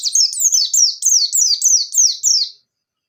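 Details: White-eye (pleci, 'bustomi' type) in active 'ngalas' song, kept to encourage other white-eyes to sing: a continuous run of about ten high, quick, descending whistled notes, evenly spaced and repeated, then silence.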